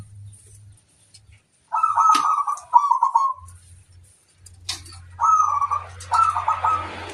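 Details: Zebra dove luring song from a local bird meant to call in wild ones: short stuttering coo bursts in pairs, separated by pauses, over a steady low humming background.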